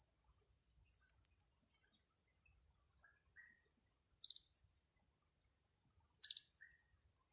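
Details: While being lured for trapping on grass, a blue-crowned hanging parrot gives three separate bursts of piercing high chirps that trail into softer ticking notes, with a continuous faint pulsing insect drone between them.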